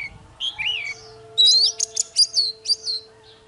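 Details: Oriental magpie-robin morning fighting song used to rouse singing: sweet whistled notes swooping down then up, followed by a run of five or six sharp rising whistles, over a steady low hum.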